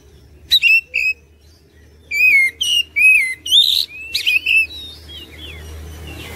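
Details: Oriental magpie-robin song used to coax other birds into responding: loud, ringing, downslurred whistles in irregular bursts, some paired, tailing off into softer sliding notes with a low hum beneath.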